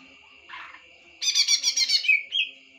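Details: A greater green leafbird: a short muffled note, then a dense burst of loud scratchy chattering ending in a brief clear whistled note, over a steady high whine.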